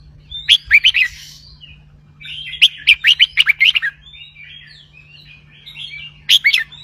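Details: Caged red-whiskered bulbul singing in the double-hundred song style, played to excite other birds: bright, chirpy phrases of quick sharp notes, rising and falling, delivered in bursts with short warbling fillers and a steady low hum underneath.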